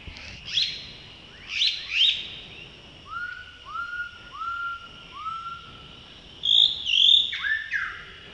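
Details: A male Blue-throated Blue Flycatcher (Cyornis rubeculoides) at Tashiding, Sikkim, India, in May 2018 gives high thin notes, four soft short whistles, then high sweet twittering phrases over a quiet background.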